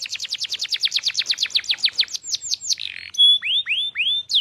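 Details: Vigorous song from a tame canary (gacor): a fast, even trill of falling notes, then a short buzzy burst, a pure high whistle and three rising slurred notes.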